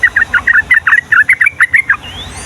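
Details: Yellow-vented bulbul in full song, a long rapid 'ropel' in the Ngombak Banyu style used to tutor young birds: about a dozen quick chirping two-part notes at an even pace, then a thin rising whistle and faint low rumble.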